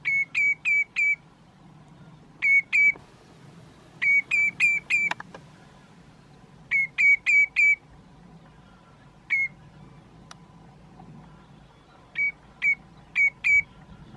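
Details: A common redshank perched on a post in Groninger Landschap, Netherlands, gives clear, ringing whistled notes in quick runs of two to four, seeming to call its own name, repeated every couple of seconds over a faint low rumble.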